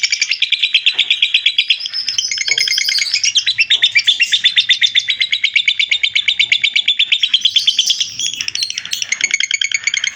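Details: Lovebird singing ngekek, a long unbroken chatter used as a master recording for training other birds: rapid, dense trill of bright harsh notes, pulsing several times a second for the full ten seconds, with no other sounds.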